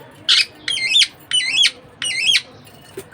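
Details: Budgie parakeet kept as a pet squawking four times in under three seconds, each call loud, harsh and wavering in steps, with short silent gaps between.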